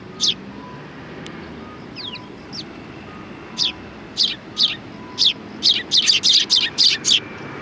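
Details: Sparrows gathering for food at a Tenmangu shrine on 7 October 2020; sharp high chirps start sparse, then quicken into a dense, rapid string of tweets. A faint repeated tone and low background rumble sit underneath.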